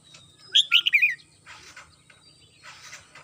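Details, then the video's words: In the morning a household red-whiskered bulbul delivers a quick cascade of bright, slurred whistles descending in pitch, then soft rustling sounds. "CHim Chào Mào Mơ nhà mình hót buổi sáng"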